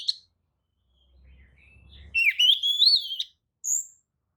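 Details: Lure song of an Oriental magpie-robin, used to provoke rival magpie-robins into replying and opening their tails: a brief high note, a soft low hum, then a rich, rapidly warbled whistled phrase climbing upward, ending with a short high chirp.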